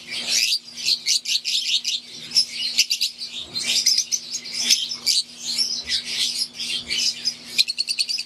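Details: Aviary flock of wild-type green and Euwing Fischer's lovebirds chirping busily, rapid bursts of shrill tweets and short squeaky notes crowding together, ending in a quick run of clipped chirps; faint mechanical hum behind.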